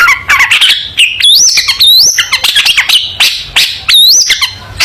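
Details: Long-tailed shrike in full song for young shrikes to copy: a fast, tangled medley of chattering notes, looping high whistles and buzzy phrases running nearly without pause.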